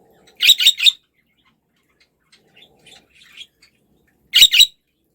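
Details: Budgerigar kept as a pet: a fast triplet of scratchy chirps, a few faint soft notes, then a closing pair of chirps.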